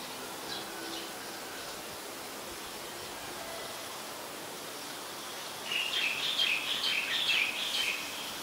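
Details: Streak-eared bulbul, a very common resident, recorded in Ubon Ratchathani, Thailand, on 22 July 2022; quiet hiss for several seconds, then a burst of sharp, chattering high notes repeated rapidly toward the end.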